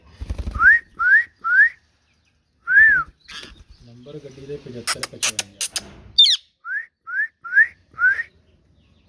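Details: Rose-ringed parakeet, a green ringneck, giving short rising whistled chirps in quick runs of three or four, with human speech heard between the runs.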